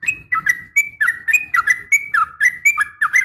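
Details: Female yellow-vented bulbul giving a sharp fighting call toward a male, intended to trigger responses from other bulbuls; a steady stream of slurred, whistled, bubbling notes, roughly four per second, with a soft low rumble beneath.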